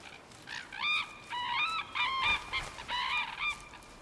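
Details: Red-crowned Cranes on the Imjin River banks in the Korean DMZ, calling during their courtship dance; rich bugling notes with strong harmonics, fast overlapping duet-like bursts of several calls each, steady hiss behind.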